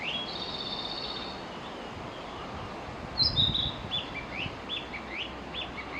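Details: Narcissus flycatcher singing, recorded through a small gap in cover. A thin high whistle opens the phrase. After about three seconds comes a run of quick, rising whistled notes, roughly one every half second, over steady outdoor background noise.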